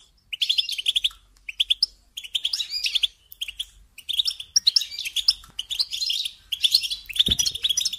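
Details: Song of a European goldfinch, kept and trained for singing: clusters of quick bright chirps and trills in bursts about every second, with a single thud near the end.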